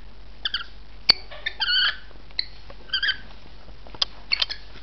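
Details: Rainbow lorikeet uttering a series of short, harsh, nasal screeches, roughly one every half second to second, mixed with sharp clicks and ticks against a quiet backdrop.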